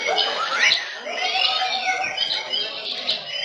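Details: A white-rumped shama competing in a bird-singing contest, placing third in its session, sings a dense run of rich, rapid whistles and sweeping slurred phrases, with overlapping song from other birds nearby.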